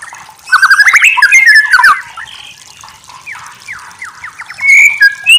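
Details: White-rumped shama masteran song: a burst of rapid rising chips and twittering, a quieter run of separate upslurred notes, then clear high whistles at the close.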